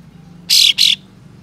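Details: White-shouldered triller giving coarse, spicy rasping calls meant to provoke other trillers to open their tails; one loud harsh double rasp, two quick scratchy bursts separated by a brief gap, over quiet background.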